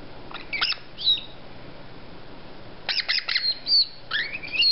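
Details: Young white-bellied caiques at 5 to 6 weeks old: scattered raspy squawks and thin whistled squeaks, quiet at first, then a busier cluster of harsh chattering notes toward the end.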